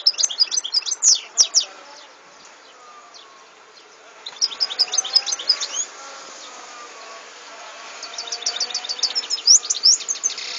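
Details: European goldfinch, 2014: three bouts of fast twittering and trilled high notes, with a low droning hum and other faint chirps in the background between bouts.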